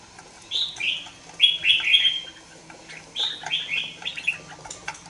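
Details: Young caged red-whiskered bulbul, two months old, sings bright, warbled phrases that slur downward, given in two bursts about two seconds apart with short chirps between them.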